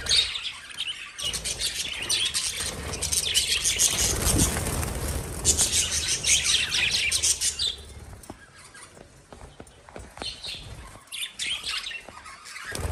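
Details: Lovebirds kept as pets give a busy stream of rapid, shrill chirps and twitters, loud at first, then thinning into scattered sharp squeaks. A low rumble sits underneath the calls in the middle.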